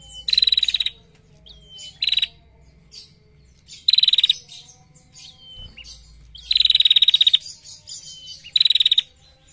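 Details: Female bar-winged prinia in a masteran training recording, singing long ngetir trills with a clear voice: loud bursts of rapid, buzzy pulsed notes, each under a second, separated by thin high sliding whistles, repeating every couple of seconds.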